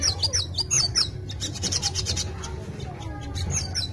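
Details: A captive brown-throated sunbird sings a rapid, high twittering song of short chirps and trills, full of mimicked white-eye notes, having seemingly forgotten its own species' song, over a low background hum.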